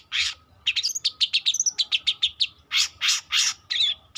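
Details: Young long-tailed shrike practising song: a rapid series of clear ticking chirps followed by several loud harsh rasping notes spaced evenly, then a short whistle.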